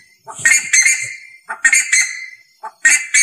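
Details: Ibis calling loudly in harsh, raspy bursts. Each burst holds two or three grating notes, and the bursts come about every second with short silent gaps between them.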